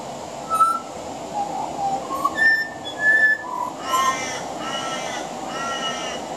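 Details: Male pied butcherbird on a veranda, song interlaced with mimicry of other Australian birds; a run of pure whistled notes stepping between low and higher pitches, then rich harsher harmonic phrases repeated in three bursts near the end.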